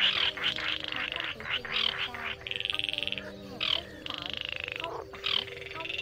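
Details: Baillon's crake giving overlapping rattling trills at night, mixing short choppy bursts with longer steady rattles, with frog croaks and insect drones in the background.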